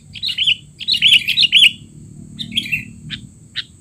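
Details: Excited sooty-headed bulbul recorded as a tutor sound for untrained young birds: a rapid run of bright warbled chirps in the first two seconds, then sparse short clicks and notes over a constant faint whine.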